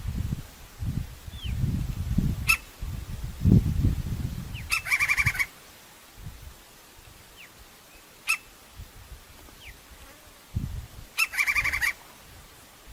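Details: Crimson-crested woodpecker calling in natural surroundings. Short harsh rattles and single sharp notes are scattered through the recording, with two clear rattle bursts several seconds apart. Low rumbling background noise is heard throughout.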